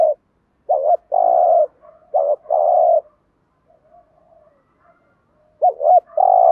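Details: Spotted dove giving lure coos meant to attract wild doves. Several low wavering-then-steady phrases, a quiet stretch with faint murmuring notes, then a loud double-noted phrase at the end.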